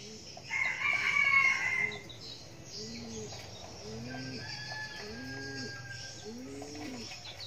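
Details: Decoy red junglefowl known for crowing often. A single harsh crow lasts about a second and a half near the start. It is followed by low, soft arched notes repeated roughly every second, with steady insect buzz behind.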